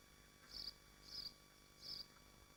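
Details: Swifts at the nest in Machynlleth, Dyfi Biosphere: three drawn-out, high, rasping screams, evenly spaced about two-thirds of a second apart, against a low steady hum.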